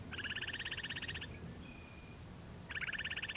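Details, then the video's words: Upland Sandpiper along a highway northwest of Regina, Saskatchewan, Canada, on June 26, 2016, around 7 p.m., with a second bird a few kilometres east. It gives a rapid, pulsed rolling trill of about a second, with a gap, then a second trill. "Upland Sandpiper, NW of Regina, SK Canada June 26/16"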